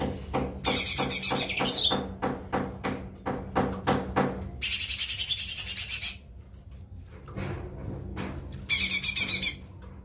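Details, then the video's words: Lesser green leafbird (cucak ijo mini) giving three bursts of fast, harsh, high-pitched trilled song, separated by a run of sharp, regular knocking clicks. "suara cucak ijo mini"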